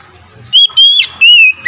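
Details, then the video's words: Oriental magpie-robin reacting to another magpie-robin with three long, loud, steady whistled notes. The middle note is broken by a sharp bent accent. "SEKETIKA MENDENGAR KACER LAIN LANGSUNG IKUT GACOR"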